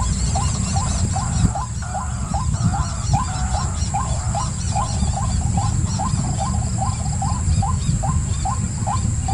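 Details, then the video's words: A white-breasted waterhen repeats short rising calls roughly three times a second for nine seconds. Thin high chirps from another bird sound early on, over a constant low rumble. "White Breasted Waterhen"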